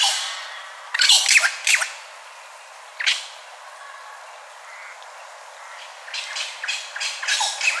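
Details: Wattlebird call from Australia: harsh, loud raspy bursts, a cluster around one to two seconds, another at three seconds, then a rapid series of grating notes near the end.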